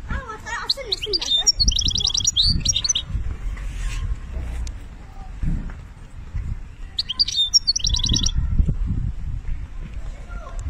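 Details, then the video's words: European goldfinch in Algeria singing benna style: two separate bursts of fast high twittering and a metallic chattering trill, with quiet gaps between them and low rumbling noise. "ذوق البنة للحسون"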